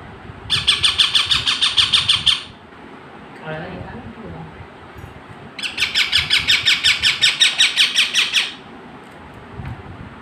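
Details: Two bursts of rapid, harsh, repeated squawks from a parrot, each lasting about two to three seconds with a pause between, over a low steady background hum.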